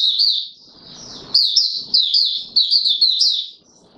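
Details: Oriental white-eye in courtship mode, 25 January 2022, having slept late: a continuous high warble of quick, sharply slurred notes lasting several seconds, with soft scratchy background noise.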